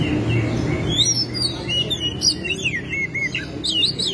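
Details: Oriental magpie-robin (kacer), a singing tutor bird with tail spread, running through its learned repertoire: a rapid, varied stream of high twittering whistles, trills and downslurred notes, with a low hum underneath.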